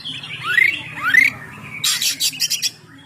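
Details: Oriental magpie-robin, song used for luring birds: two sweeping upward whistles, followed by a short volley of harsh, buzzy notes repeated about four times.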